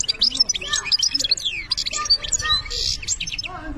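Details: European goldfinch from Algeria singing a dense, rapid stream of high twittering notes, buzzy trills and sharp chirps, with short liquid phrases that run together continuously and no other clear sounds.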